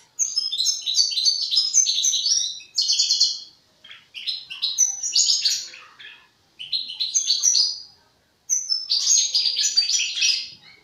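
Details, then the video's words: Young European goldfinch working out its song in the formative stage, delivering four or five jumbled phrases of quick, chattering, bell-like twitters, each about two seconds long and separated by short pauses. "حسون جان في مرحلة تفريز الغناء"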